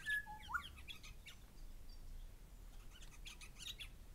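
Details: Pair of grey shrike-thrushes calling, opening with a level whistle and a rising slurred note, then a busy stretch of high sharp chirps and squeaks from other birds.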